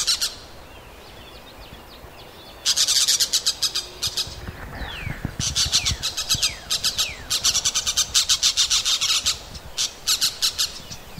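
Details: Parrot in a forest giving harsh, rasping squawks in rapid bursts of pulses, several seconds long and separated by short pauses, with a few thin descending whistles between them.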